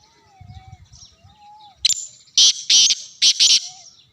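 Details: Black francolin calling in Sindh, Pakistan: after quiet thin whistles from another bird, a loud grating series of five harsh rasping notes delivered over about two seconds, the last pair close together.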